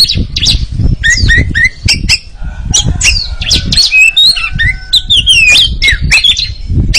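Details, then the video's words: White-rumped shama, a training recording meant to build a champion's nerve, delivering rich looping whistles and harsh chatter in fast succession, with steady low rumbling noise underneath. "TERAPI KACER DAHSYAT I TERAPI KACER ANTI LEMOT MENTAL JUARA LANGSUNG NGERIWIK"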